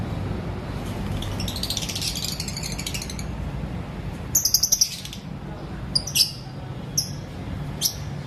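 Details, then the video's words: Various-coloured lovebirds in an aviary in the morning: a soft, high chattering run, then a rapid burst of ticking notes and scattered sharp high chirps over a low background rumble. "Lovebirds Singing & Chirping Sounds"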